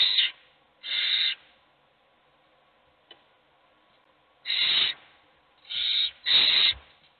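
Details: Begging owl chicks, only one receiving food: a few raspy, hissing calls, two early, then a long pause with a faint click, then three closely spaced hisses near the end.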